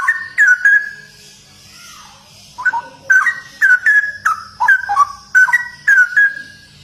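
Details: Straw-headed bulbul giving continuous ropel song: loud, mellow whistled notes with bubbling downward inflections, an opening burst, a short lull, then a long rapid sequence of rich phrases.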